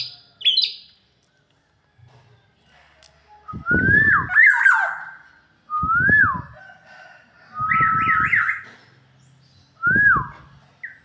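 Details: Black-naped oriole singing in Indonesia: five loud fluty whistled phrases, each a slurred rising-then-falling note, some with quick wavering loops, spaced about two seconds apart, with low thumping noise under each phrase.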